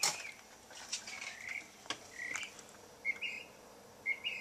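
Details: A bird singing outside a house at about 12:30 a.m., as it does every night around midnight: short, clear, slightly rising whistled phrases, about one per second, faint over a steady background hiss with a few clicks.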